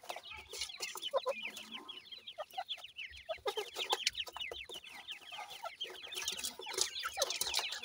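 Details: Sindhi grey francolin chicks while feeding: a dense, overlapping chorus of short, high, downward-slurred cheeps, many per second, with scattered soft clicks and taps beneath.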